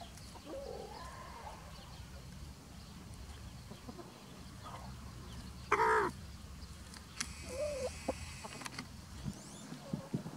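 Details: Free-ranging chickens with a white rooster guarding his hens while foraging in spring; one loud harmonic squawk-like call stands out, with a few softer clucking notes before and after over a steady low outdoor rumble.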